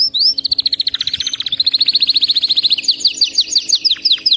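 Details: Canary song meant to train a pet canary to sing without stopping: a long run of rapid repeated trilled notes shifting in pitch, ending in slower swooping chirps.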